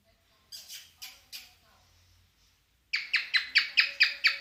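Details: In mating mood, a cockatiel gives three soft wavering notes, goes quiet amid a low hum, then launches into seven loud raspy falling notes.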